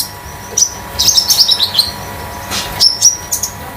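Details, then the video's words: Home-kept young common iora (konin) moulting from speckled plumage, used as a tutor and lure bird; a burst of chattery high twittering followed by clear piercing whistles, with low room hum. "KONIN DAMER METALIK LEPAS TROTOL || BURUNG MASTERAN || PANCINGAN OMBYOKAN KONIN"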